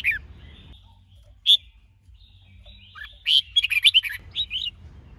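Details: Red-whiskered bulbul in training, stimulated by a female; a single sharp whistle, a quiet gap, then a lively run of rapid, bright chattering notes and a final short whistled phrase.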